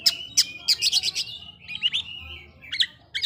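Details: Oriental magpie-robin provoking rivals with sharp high notes about three per second, warbled phrases and drawn-out whistles, over faint low background noise.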